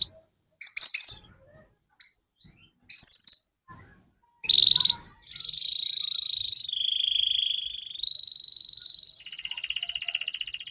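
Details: Canary with long, continuous gacor song, a tutor recording for young canaries: short scattered chirps with gaps, then sustained rolling trills that shift between pitches, ending on a higher, denser buzz.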